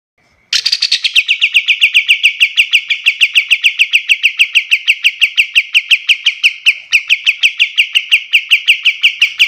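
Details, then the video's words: Pied triller song used as a tutor recording for teaching other birds: a long, fast trill of sharp, repeated, downslurred notes that begins high and settles into a steady even series lasting about nine seconds. "Suara kapas tembak paling bagus untuk masteran burung lain"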